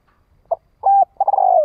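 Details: Thổ đồng-style spotted dove decoy cooing to attract wild doves: a brief soft note, a steady flat coo, then a long rolling, pulsing coo that slowly drops in pitch; the phrase is cut off at the end.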